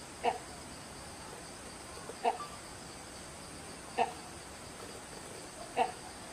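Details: Great hornbill in Jim Corbett National Park (Phato zone, Chatan Road) giving four short, gruff barking notes, one every two seconds or so, over a steady high insect hiss.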